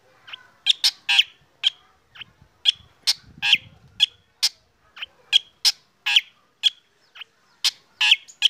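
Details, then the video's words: A black drongo sings while sunning in the morning, a performance said to prompt other birds to join. It gives a steady run of rapid, harsh, squeaky-edged notes, roughly two or three per second, with a faint low rumble midway. "KICAUAN SRIGUNTING HITAM PAGI HARI SAAT DI JEMUR BIKIN BURUNG LAIN IKUT BUNYI"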